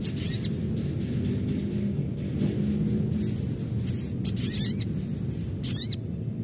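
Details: Adult crimson sunbird giving high, sharp chirps in quick bursts of three to five notes, spaced irregularly through the clip, over a steady low rumbling hum.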